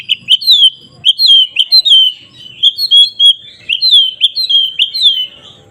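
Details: White-rumped shama singing to rile up rival shamas for fighting: repeated downslurred whistles in quick pairs and triplets, bright and clear, forming a lively, rhythmic phrase with little background noise.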